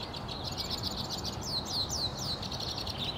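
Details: A male White-winged Crossbill, one of at least four around spruce-lined streets in NW Regina, Saskatchewan, Canada, on 3 April 2017, sings a fast run of high chattering notes and sharply downslurred whistles, about four per second, over low background rumble.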